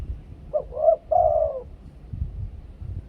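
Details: Close, clear spotted dove coo in the two-kuk 'khu-ang' decoy style: two short hooked notes, then a sustained mellow coo sliding gently downward, one full phrase and the start of another.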